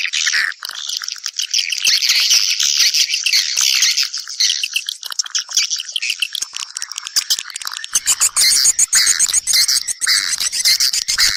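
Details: Swiftlet calls that summon others back to nest: rapid, overlapping high squeaky twitters forming a rattling chatter, growing buzzier and more clicking in the final few seconds, steady and loud with no quiet gaps.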